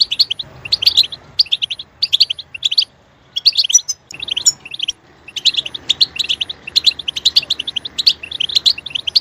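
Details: European goldfinch singing loudly, a recording meant to stimulate other goldfinches to sing: fast, bright twittering chirps in dense bursts, with short clipped notes repeated in quick runs, brief pauses near three and four seconds, then steady chattering to the end.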